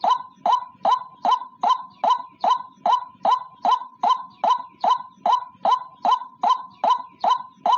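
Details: Single white-breasted waterhen, a clean original recording used as a lure call for trapping. Strong, steady series of hoarse, croaking notes repeated about two and a half times per second for the whole stretch, with no other sounds.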